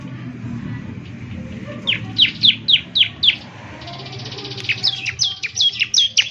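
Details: Bar-winged prinia singing energetically, played each morning so other prinias answer: five loud, evenly spaced downslurred chirps, a stretch of buzzy trilling, then a quick run of high sharp notes.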